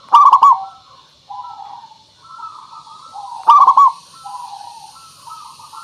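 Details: Lure recording of a local zebra dove: two loud pulsed coo bursts separated by a long run of soft, wavering hummed coos.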